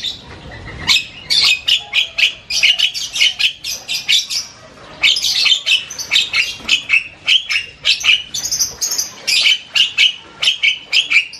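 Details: Asian pied starling singing loud, varied chatter: a fast stream of harsh, squawky notes and buzzy chirps repeated in bursts, with a short pause near the middle before the rapid chatter resumes.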